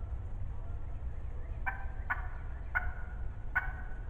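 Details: Close hen wild turkey in the spring 2020 season, yelping four times at uneven intervals in the second half, after a quiet start, with low rumbling background noise throughout.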